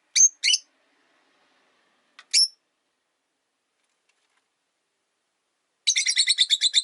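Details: Sharp chirps from a cage of three Rosy-faced lovebirds: a quick pair, a lone chirp, then a long rapid chattering series of harsh notes.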